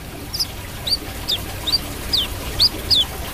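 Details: Lively brown-throated sunbird producing seven clear, high, sharply bending whistles, each slurring down or up, evenly spaced about every half second against a quiet, low background.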